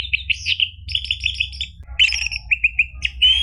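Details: Song of an orange-headed thrush, played to start a caged bird singing: quick repeated whistled notes in a rhythmic series, then a jumble of sharp high chirps and slurred phrases, with faint low hum throughout.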